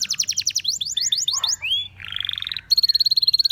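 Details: Canary song of fast repeated downslurred notes, a rising whistle, a buzzy harsh tour, then a rapid pulsed trill held on one pitch to the end.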